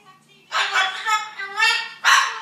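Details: Indoor cockatoo copying the sound of a couple quarrelling: a run of raspy, word-like syllables rising and falling in loudness, ending in a sharp, emphatic shout.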